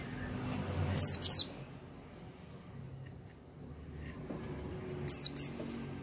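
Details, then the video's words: Oriental white-eye singing without stimulants: two brief bursts of doubled, very high, downward-slurred notes about four seconds apart, with faint low background noise. "pleci buka paruh tanpa doping gacor dor"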